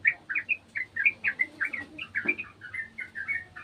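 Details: Sooty-headed bulbul, a garden bird joining another bulbul's sound: a quick, even series of warbled chirps, roughly four or five notes each second, with one brief thump midway.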